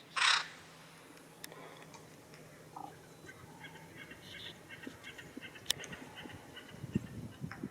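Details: Acorn Woodpecker at its granary in Coto de Caza opens with one loud, harsh, scratchy call; fainter raspy notes, clicks and soft chatter follow over a quiet outdoor background.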